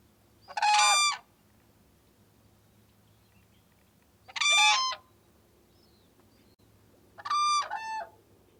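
Whooping crane giving three loud, trumpeting bugle notes, each under a second and spaced about three seconds apart, over a faint low hum.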